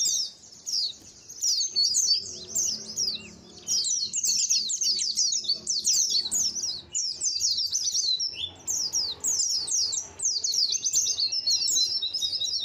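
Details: A colony of white-eyes (pleci), used as a lure to get white-eyes calling freely: dense, continuous overlapping thin, high chirps, each sliding quickly downward, with a few short gaps.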